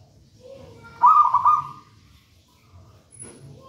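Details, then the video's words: One trilled coo burst, under a second long, from a vigorously singing local wild zebra dove taken from a raja banana plant nest, followed by quiet background noise. "Perkutut manggung gacor"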